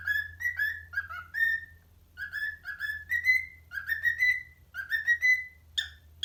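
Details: Whistled Addams Family remix by a pet parrot for parrot friends: falling then rising tonal notes in short phrases, longer sustained whistles near the end, one sharp chirp, low hum behind.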